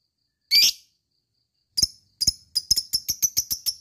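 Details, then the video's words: Lovebird heard in a recording meant to rouse other lovebirds into a long ngekek. One loud, harsh squawk is followed by a pause, then an accelerating run of short, sharp, high chips. Nothing else is heard. "lovebird cepat naik EMOSI dan langsung jadi ngekek panjang"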